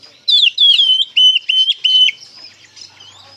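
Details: Oriental magpie-robin belting a ngeplong-style phrase as a lure for untrained birds: a twisting whistle followed by four loud, steady, level whistled notes in quick succession, then soft twittering.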